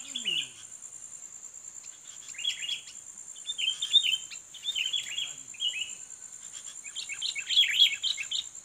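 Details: Sooty-headed bulbul, a fighting bird being lured against a rival: short bursts of chattering notes separated by pauses, a brief low sweeping sound at the start, the final burst loudest, over a steady shrill hum.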